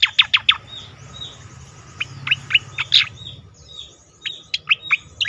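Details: Leafbird song played to encourage other leafbirds to sing: rapid clusters of bright, high downslurred notes alternating with softer drawn-out whistles, in several bursts over a low background hum.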